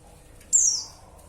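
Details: Female white-eye calling to a male: one sharp, very high-pitched chirp that slides downward, then fades, over a quiet background.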